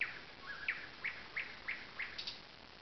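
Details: At a lakeside alder stand in Zawady Oleckie, a thrush nightingale repeats sharp, slightly rising notes about three times a second, with a soft low whistle early on and a constant background hiss.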